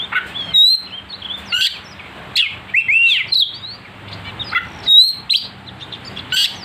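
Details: Oriental magpie-robin, or kacer, singing a provocation song to rile other birds, with a sharp, nonstop voice: bright clear whistled notes and quick down-slurs alternate with short chattering bursts about every second, a faint low electrical hum beneath.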